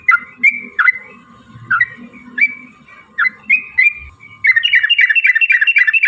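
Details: Yellow-vented bulbul in a long, lively rolling song used as a lure to make other bulbuls sing and fight: short bubbly, gurgling phrases spaced about half a second apart, then a fast run of repeated chattering notes, over a steady faint hum.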